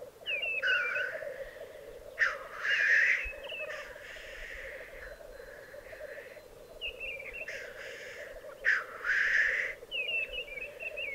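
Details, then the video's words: Black grouse males at a lek in the Italian Alps of Piedmont, 2022. Loud, explosive hissing sneezes come in pairs, each preceded by a short wavering note, over continuous soft bubbling cooing. "Parate dei Galli Forcello 2022"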